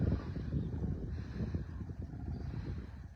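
Low, gusty wind rumble buffets the microphone, with no animal voice audible.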